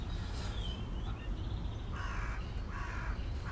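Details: On a fine day at the Urdaibai marsh on 25 March 2021, near high tide, a carrion crow gives three harsh, hoarse caws about half a second apart over a low wind rumble, with thin calls from other birds.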